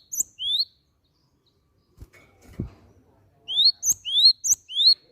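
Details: Used as a lure to get other birds singing, a cinereous tit gives clear, rising, whistled notes. There are two near the start, then a rapid run of four or five after a pause with faint thuds.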